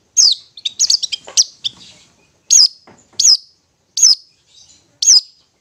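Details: Ngetet song of a Long-tailed shrike, meant to prompt stressed or silent shrikes: a quick jumble of high chips, then single sharp downward-slurred whistles spaced under a second apart.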